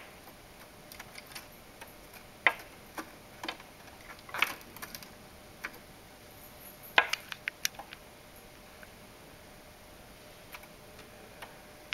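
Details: Sharp, dry taps on glass come at uneven intervals in a quiet indoor space, with no calls or song.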